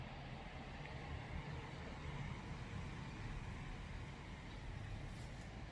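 Steady low rumble of passing vehicles and road traffic, with no other sounds standing out.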